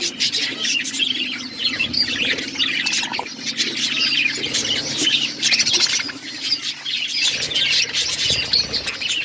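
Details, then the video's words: Pet budgies eating seeds; a flock's nonstop high chatter of squawky chirps and warbles, with a faint low hum underneath. "My beautiful budgies eating seeds birds chirping sound"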